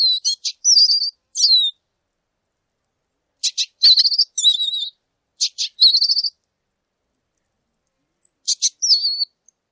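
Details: Repeated groups from a lesser goldfinch: sharp ticks leading into wavering high whistles, some falling, some slightly buzzy, with several phrases across the stretch and quiet gaps between.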